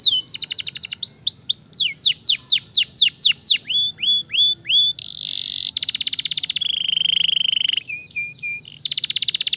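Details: Gloster canary, a fighter bird, singing fast and dense: rapid strings of downward-sweeping whistles, then trilled, buzzy and rattling tours, each repeated quickly before switching, with a faint low hum underneath.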